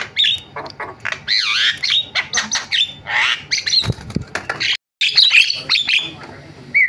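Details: Javan myna in busy varied song mixing swooping whistles, wavy modulated notes and harsh scratchy bursts, with a brief break and a clear rising whistle near the end.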